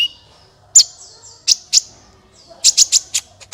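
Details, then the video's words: Sunbird song for coaxing other birds to sing: a thin high whistle, then separate sharp chirps, ending in a quick run of four or five rapid, piercing notes. "suara burung Kolibri ampuh untuk pancingan"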